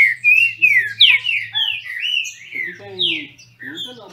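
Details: Competing captive Green-winged Saltators from Brazil: a string of strong, rich whistled phrases, rising and falling slurs packed closely together, fading briefly before a final bright note; faint low hum behind.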